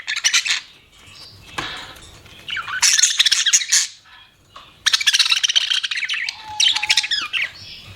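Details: Budgies kept as pets chatter in loud harsh bursts of rapid squawky chirps, separated by brief quieter gaps, with a few clipped whistles near the end.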